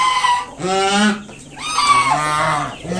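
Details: Honking from a mother swan protecting her five newly hatched young against an approaching person: two long, drawn-out, reedy honks with a brief rough break between them, plus a short note at the end.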